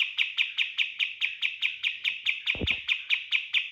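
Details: Rapid-fire lure song of a cotton bird for training other birds: evenly spaced sharp chipping notes repeated over twice a second in an unbroken run, plus a short low knock near the end.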